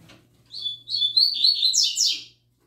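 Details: Newly singing young double-collared seedeater in the "tui tui zel zel" style: a short phrase of steady whistles building into a fast, buzzy, descending trill lasting under two seconds, with a faint low hum behind.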